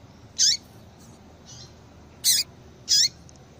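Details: A female Yellow-bellied seedeater's stimulating call for males: a sharp high note, a soft faint chirp, then two more loud brief high calls close together near the end, over light hiss.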